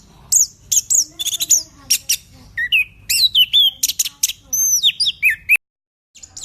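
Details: Orange-headed thrush, known locally as anis kembang, singing energetically: a fast varied run of sharp high chirps, clicks and slurred whistles, with several descending whistled notes and one long falling whistle near the end, then a brief pause.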